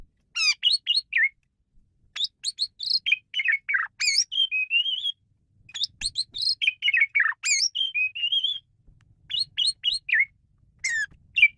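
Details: Asian pied starling singing a long, varied chatter of buzzy, sliding and whistled notes in rapid bursts, pausing briefly between phrases; used as a tutor recording for training songbirds.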